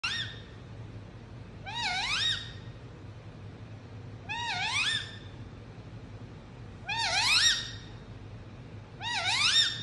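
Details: Indian ringneck parrot kept as a pet, chirping indoors: five clear, harmonic-rich calls, each about half a second long, rising, dipping, then rising again, repeated every two to three seconds over a low steady hum.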